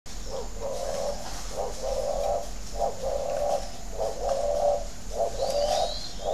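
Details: Spotted dove from a dove farm in Ba Vì, Hanoi, Vietnam, giving the coo style called thổ đấu còi: mellow, low cooing phrases, about one a second, with steady low hum underneath.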